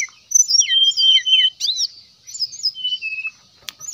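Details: Brown-chested jungle flycatcher in nyuling, whistling style meant to provoke rivals: a loud series of clear looping whistles, then softer slurred notes and a long falling whistle, with a thin steady tone behind.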